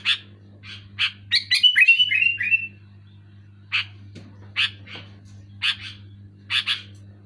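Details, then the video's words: Sooty-headed bulbul singing loud and clear: a quick run of bubbly, chattering notes with short whistled slurs, then scattered single harsh chips about once a second, over a steady low electrical hum. "Suara burung kutilang gacor keras jelas"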